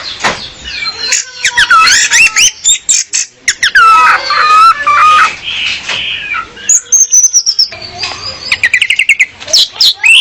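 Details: Orange-headed thrush female luring a male, a tutor recording: varied loud phrases of slurred whistles and rich warbles, some rising and falling in pitch, followed by fast high repeated notes, with brief pauses between phrases.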